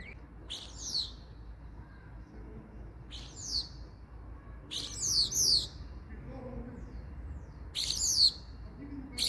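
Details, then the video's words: Common starling uttering four loud, grating screeches at irregular intervals of two to three seconds, each a broad rasping burst with quiet pauses between. "Starling Bird Call | Common Starling Bird Sound"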